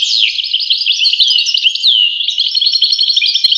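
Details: European goldfinch singing a fast, liquid twittering song of tinkling chirps and slurred whistles, steady and continuous without pause, no other sounds.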